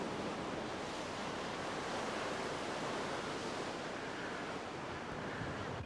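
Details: Even, hissing roar of surf and wind at the shore, unbroken for the whole stretch, with no birds calling.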